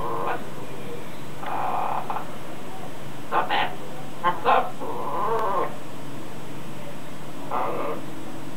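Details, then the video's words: Talking macaw kept as a pet, practising its words outside and mimicking household noises; rough drawn-out syllables and sharp yelps come in irregular bursts, with a low constant hum behind. "Exotic Macaw Talks A Lot"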